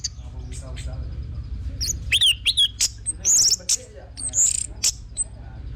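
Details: Orange-headed thrush song used as a lure to get a bird singing: scattered thin whistled notes and sharp chirps, some rising and falling, start after about two seconds over a low steady hum.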